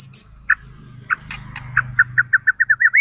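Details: Singing meant to excite and trigger other birds, from a white-rumped shama: a string of clear whistled notes repeated faster and faster, ending in a rising slur, over a low background hum.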